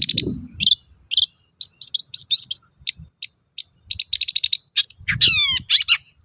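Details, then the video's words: Long-tailed shrike song meant as a lure to draw song from other shrikes: varied chattering, rapid strings of short high notes and a burst of descending whistled slurs near the end, with low muffled thumps. "Suara burung cendet gacor untuk pancingan cendet bahan"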